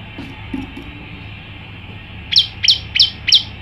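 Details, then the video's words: Male olive-backed tailorbird in full song, later released to the wild: after faint low chirps, four loud, high downslurred notes ring out evenly about every 0.3 seconds over a constant hiss. "9 variasi prenjak lumut jantan gacor"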